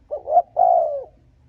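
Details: Short spotted dove coo used to provoke and lure rival males: two low notes, the second swelling, leading into a long even coo that bends downward at the close.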